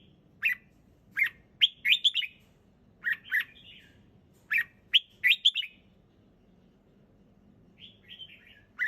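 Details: Red-whiskered bulbul in a relaxed song of clear, sharp chirps in small bursts. Pauses of a second or more fall between bursts, and a softer warbled phrase comes near the end over a quiet low hum.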